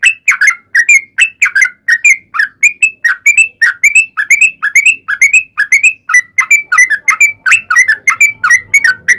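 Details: Sooty-headed bulbul in sustained fighting song used as a lure for other bulbuls; continuous chain of sharp, liquid whistled notes, about three per second, slightly varied in pitch.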